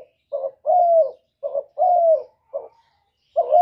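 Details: Soft repeated cooing from a spotted dove in the kuk 1 style, a bird kept as a lure for other doves: three phrases, each a short note and then a long, gently falling coo, with the start of a fourth phrase.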